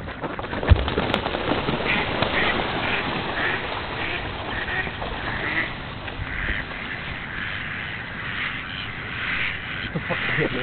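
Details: A large flock of ducks calling together while feeding, a dense overlapping chorus of nasal quacks and chatter with brief louder bursts, continuous throughout.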